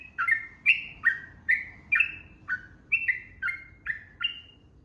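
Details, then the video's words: A yellow-vented bulbul in lively 'ropel' song gives a brisk run of downslurred, chirpy whistles, roughly two to three each second, against a steady background hiss. "SUARA TRUCUKAN GACOR 2026 ROPEL PANJANG"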